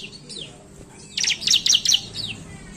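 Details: Bar-winged prinia in lively 'gacor narung' song, offered as a lure to make prinias perch: four quick bursts of high, buzzy chirping notes near the middle, framed by faint thin descending whistles over a quiet hiss.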